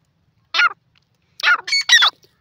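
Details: Francolin (teetar) producing a harsh, squawking note, then after a pause a longer grating burst of three joined notes, loud and broadband.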